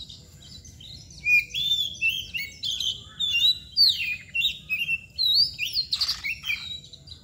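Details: Oriental magpie-robin known as kacer, in mbagong display, sings a lively string of clear whistles, warbles and chirps, about a dozen quick phrases with a rasping note near the end.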